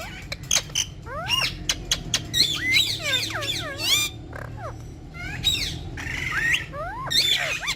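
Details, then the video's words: Ringneck parrots, described as Urdu-speaking, talking and dancing with each other; dense bursts of harsh, arching screeches and rising-falling squawks tumble over one another for the whole stretch, with a low steady hum underneath. "Cute Urdu Speaking Ringneck Parrots || Ringneck Parrots Talking And Dancing With Each Other"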